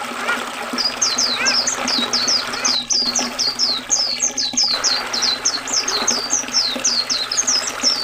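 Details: Oriental white-eye song with river water, meant for tutoring caged birds: a steady run of high, slurred twittering notes, somewhat softer, over a busier background of rushing water and a low rumble.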